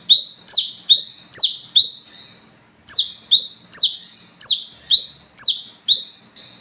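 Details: Night lure song of an olive-backed sunbird (wiceh) in gacor ngalas ngeplong style: bright piercing notes sliding downward in a quick series, a pause of about a second midway, then more of the same.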